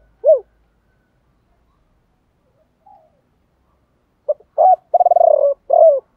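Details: Spotted dove calling, male and female voices for stimulating trained birds to coo: one isolated hoot, a long pause, then a clipped note, a rolling low coo and a final down-slurred hoot.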